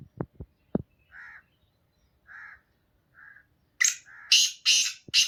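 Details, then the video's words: Black francolin singing: a few soft muffled knocks and short mid-pitched hooting notes, then a burst of loud harsh grating notes in quick succession near the end. "Kala teetar ki awaz 2023 | Black franclion singing | Black partridge Voice"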